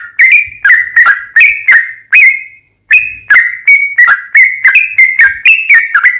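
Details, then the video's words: Sooty-headed bulbul in long, rapid 'ropel panjang' song used as a lure to get other bulbuls singing and answering: loud whistled notes with sharp onsets, each sliding down, in quick series broken by one brief pause. "TRUCUKAN GACOR ROPEL PANJANG Buat PAncingan TRUCUKAN agar Bunyi JADIKAN burung TRUCUK gacor NYAUT"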